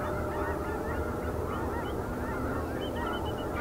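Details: Flock of snow geese taking off from a shipping lane tower on the Wednesday morning of 30 January 2019 in Richmond, BC, Canada, with bald eagles nearby. A dense, continuous chorus of overlapping nasal honks from many birds at once.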